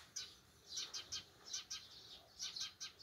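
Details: Eurasian tree sparrows on a countryside morning chirp in short, bright, high notes, about ten in three seconds, irregular and overlapping over a quiet background.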